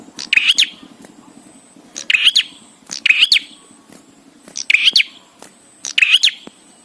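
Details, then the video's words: Bar-winged prinia, recording meant to make birds sing: five bursts of piercing high chirps at roughly one-second intervals, each a quick double or triple twittering phrase, background quiet apart from a soft hum. "Prenjak Gacor Suara Ampuh💯% BIKIN PRENJAK CEPAT BUNYI"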